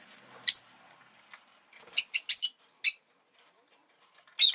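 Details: Rosy-faced lovebird indoors, egg newly laid, calling with high, screechy chirps: a single note, a quick double, another single, then a final sharp chirp after a pause.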